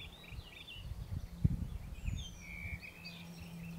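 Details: Eurasian penduline tit at Valchico stream, Madrid, Spain, 15 May 2021, a riverside grove breeding species: a thin, high, drawn-out descending whistle among faint chirps from other birds, over a steady low hum and some handling thumps.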